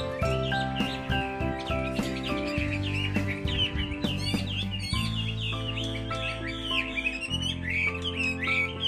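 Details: A moulting Chinese hwamei, a fighting bird, sings a rich, rapid, varied warble of rising and falling whistled phrases, nearly unbroken, over loud background music.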